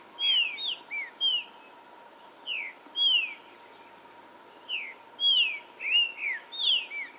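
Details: Stimulating green-winged saltator song meant to provoke aggressiveness and singing: clear whistled slurred notes in short phrases separated by gaps of about a second, with a low constant hum in the background.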